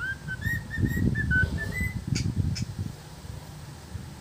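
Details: A cockatiel whistles clear, stepping melodies of pure notes, singing human tunes like "If You're Happy and You Know It" and "Bohemian Rhapsody."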